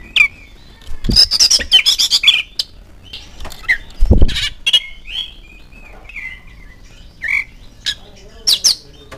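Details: Oriental magpie-robin singing varied whistled phrases of clear rising and falling notes broken by harsh scratchy bursts, with a couple of dull low thumps; a lure recording meant to prompt other magpie-robins to sing.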